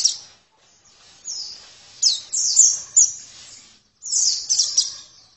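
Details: Oriental white-eye giving bursts of thin, high descending chirps, some clustered in quick pairs, between short quieter gaps over a faint hiss.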